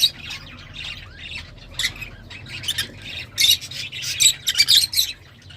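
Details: Lovebirds calling, described as beautiful but somewhat sharp in a small house: a chatter of shrill, high squeaks and chirps in irregular bursts, louder toward the end.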